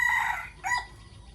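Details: Brief fragment of a rooster's morning crow among decoy chickens: a loud harsh syllable, a short dip, then a second strident note that fades.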